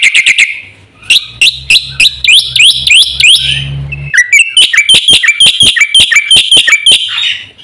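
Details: Black-winged myna singing energetically, recorded as lure and tutor material for caged birds; rapid series of loud whistled notes with upward slurs, a short harsh phrase near the middle, then a fast even run of ringing notes.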